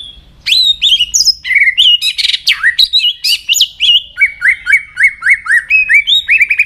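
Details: White-rumped shama singing many voices, a recording meant to excite and train other shamas: rich, fast whistled song with sliding notes, then a steady run of repeated two-part chirps, about three per second, loud and clear.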